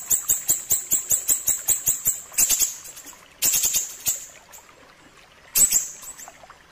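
Ashy tailorbird giving a fast run of sharp, very high ticking notes, about five a second, then a few separate chattering bursts with pauses between.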